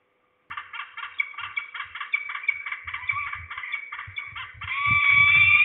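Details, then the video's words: At least two falcons calling at Trzebież, Poland, on 2 September 2019 in the afternoon, one closer and below. A harsh, rapid chattering series of notes runs steadily, ending in a louder drawn-out note, with a low hum and faint rustling. "We hear at least two falcons (closer, below)."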